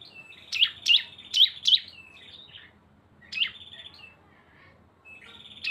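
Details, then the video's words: Lively cisem song used as a lure mixing two birds: clusters of bright, sharply descending chirps followed by brief buzzy tails, delivered in rapid groups of four, then sparse single notes. "CISEM GACOR ‼️ SUARA BREN kombinasi 2 burung"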